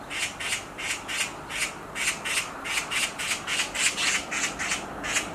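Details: A black magpie perched on a tree branch keeps up a steady, unbroken string of around seventeen rough, raspy scream notes, about three per second.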